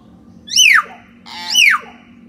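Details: Common hill myna sound meant to make a quiet bird start singing: two loud, sharply falling whistled calls with a harsh buzzy edge, about a second apart.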